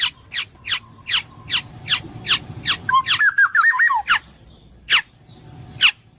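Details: Black-naped oriole repeating about eight harsh, nasal downslurred notes about every 0.4 seconds, then a rapid wavering whistled phrase, followed by a few more spaced harsh notes.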